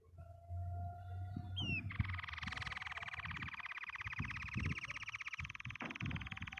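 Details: Happily singing canary delivering a long, fast rolled trill of rapid, evenly spaced pulses that continues for several seconds, preceded by a quick rising note, with a steady low background hum.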